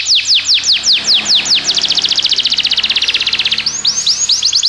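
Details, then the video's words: Belgian canary singing as a training model for other canaries: a run of steeply falling whistled sweeps, then a fast even trill of short notes, ending in rising hooked notes; clean recording with no other sounds. "Canário belga seduz todos os canários para cantar - treinamento de canário"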